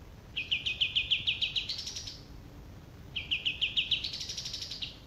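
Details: Two rapid, buzzy, high trills from a male olive-winged bulbul. Each phrase rises at its end, about three seconds apart, over quiet background noise.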